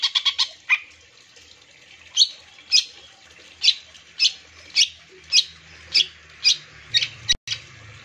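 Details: Long-tailed shrike lure recording to set other shrikes singing: a brief scratchy burst, then a sharp, high note repeated steadily about every half second, with faint low rumble beneath.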